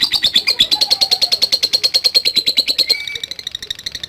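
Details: Lovebird ngekek in ngetik style, used as a lure for fighting lovebirds: a steady burst of rapid, harsh, high pulses for three seconds, then fading into quieter rattling with a short thin whistle.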